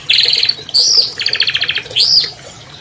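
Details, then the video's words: Albino long-tailed shrike, a captive champion, giving rapid rattling trills of buzzy pulses alternating with loud, arching whistled notes that rise and then fall. "MASTER SUARA CENDET ALBINO JUARA 2020"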